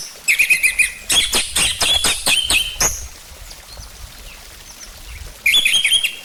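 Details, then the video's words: Orange-headed thrush song used as a lure to make the bird sing: short bursts of varied, chattering, high-pitched notes with pauses, over faint background hiss and low rustling. "Pancingan Ampuh Buat Anis Merah Biar Cepat Bunyi"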